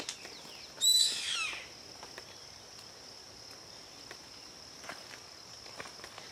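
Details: A yellow-headed caracara (Milvago chimachima) gives one harsh, high, screechy call that slides downward and lasts under a second, over a steady high insect drone.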